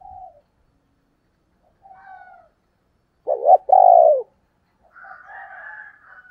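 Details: Female spotted dove giving the 'thổ đồng' style call, played to lure wild males: faint low coos, then two loud, mellow, slightly descending cooing notes near the middle, followed by a soft warbling murmur.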